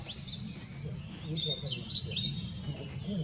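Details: Blue-and-white flycatcher recorded on 6 May 2016: thin, high whistled notes and short slurred phrases, some rising and some falling, scattered through the clip over a steady low rumble of background noise.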